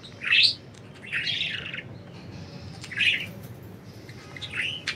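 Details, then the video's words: Free-flying pet budgerigars chirp in four separate bursts: a sharp rising note, a longer scratchy warble, a short chirp, then a softer trailing call, with quiet hum between. "Budgies Enjoying Freedom and Chirping"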